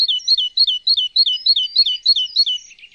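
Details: Great tit (Parus major), one of several songs given in different postures. A rapid, ringing two-note phrase, a higher note sliding into a lower one, repeats about three times a second in a steady, bright series.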